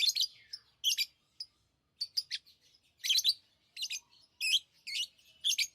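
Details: Lovebirds chirp in sharp, high, buzzy bursts, some doubled, with a few thin squeaky notes and short gaps between calls.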